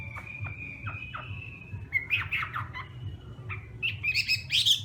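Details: Hwamei in morning competition-style song during voice training: faint, spaced slurred notes at first, then louder bursts of warbled phrases and sharp whistled notes toward the end, over a low steady hum.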